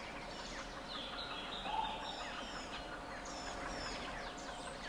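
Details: A flock of White-crested laughingthrushes gives faint, overlapping chattering and cackling notes, some rising and falling, in bursts near the start and again toward the end, over a steady background hiss and a constant low hum.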